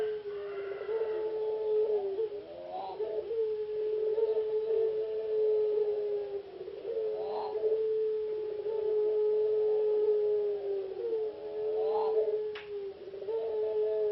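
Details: A captive-bred puter pelung ringneck dove that reached a song-contest semifinal in Jogjakarta sings a low, drawn-out, humming coo held almost without a break, swelling into a stronger accented note about every four to five seconds.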